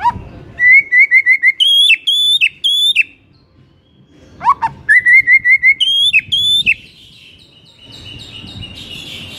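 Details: White-rumped shama singing in the morning, meant to push a shama that has stopped singing into loud, open song: loud whistled phrases of short repeated notes at a steady pitch, a brief pause, then more rapid series, ending in faint hiss.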